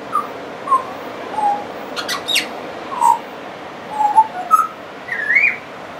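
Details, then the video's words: A friendly Pied Butcherbird singing on and on, with mimicry in its song: pure, fluty whistles, mostly mid-pitched and spaced about half a second apart, ending in a brighter rising phrase; a few brief clicks sound in the background. "Pied Butcherbird wouldn't shut up"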